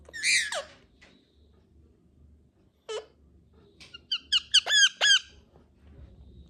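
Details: Indian ringneck parakeets, talking and natural sounds: a loud harsh descending squawk, then after a pause a sharp note and a quick series of five ringing, harmonic chirps, with a faint low hum in a quiet room.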